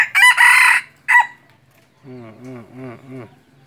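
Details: Red junglefowl kept as a hunting decoy for wild junglefowl gives a harsh, strident crow followed by a brief second burst, after which a person talks in low, rounded syllables.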